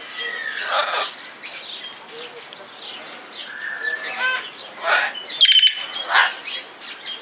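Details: Blue-and-yellow macaw at Belgrade Zoo, February 2022, giving harsh, raspy squawks in short bursts every second or so, with a brief high whistle and other bird chirps in the background.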